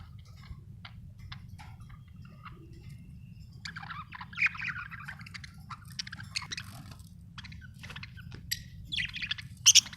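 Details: Budgerigar chirping in scattered short notes, with busier bursts of scratchy warbling chatter around the middle and end, over a steady low hum.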